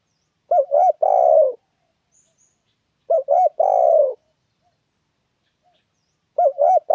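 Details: Spotted dove calling persistently, a sound used to lure and trap doves: three phrases, each with two quick notes and a long falling coo, spaced about three seconds apart.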